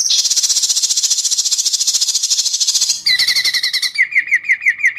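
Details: Competing White-rumped shama in Indonesia singing sharp besetan mimicry before judges: a dense three-second high buzzy rattle, then lower whistled notes repeated quickly, each slightly rising.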